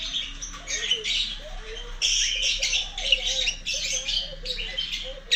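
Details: Pet lovebird calling while looking for its companions: continuous harsh, buzzy chattering bursts, broad and noisy, run together with little pause.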